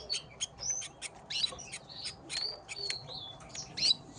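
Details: Squabbling Gloster canaries give dense, scratchy chirps and short whistled slurs in quick succession, several notes every second, loud and high-pitched, with a light hum underneath.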